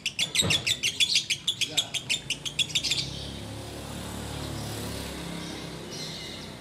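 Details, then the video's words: Sooty-headed bulbul giving its ngekek song while waiting to break the Ramadan fast: a quick run of about fifteen sharp, high chattering notes, roughly three per second, then faint background murmur and room noise. "Menikmati Ngekek Biang Kerok"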